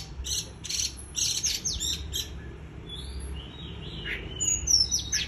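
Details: White-eye in líu choè song, opening with quick bright chip clusters, then a couple of soft rising whistles, ending in thin, shrill high-pitched twittering.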